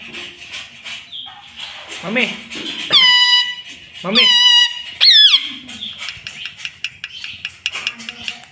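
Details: Pet green rose-ringed parakeet producing three loud, shrill, drawn-out word-like calls over a background of continuous human conversation in a small room.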